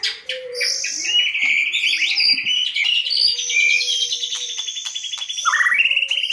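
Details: White-rumped shama lure recording from 2022: a rich, continuous song of fast rattled trills and high whistled notes, ending in a loud rising whistled phrase, with faint low whistles underneath.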